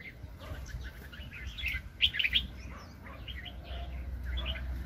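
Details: Red-whiskered bulbul, a very aggressive decoy bird in a 2020 trapping setup: dense, overlapping chirps and whistles with a louder bubbling phrase in the middle, set against low rumbling noise.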